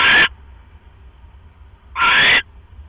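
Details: Owl at the nest where the male brings a rat to the female sitting on eggs, night of October 5, 2015; two harsh hissing screeches nearly two seconds apart, the second longer, with soft hum between.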